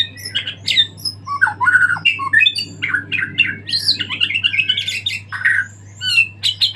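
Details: White-rumped shama after moult giving a full, varied song: fast sequences of whistles, rasps and squawky notes jumping in pitch, continuous over nearly seven seconds, with a constant low hum in the background.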